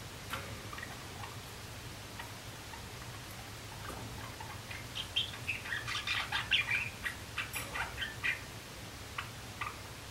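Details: Juvenile male Java sparrows at singing practice, April 2016: scattered soft ticks, then a dense burst of rapid chattering clicks and whistles in the second half, over a faint background hum.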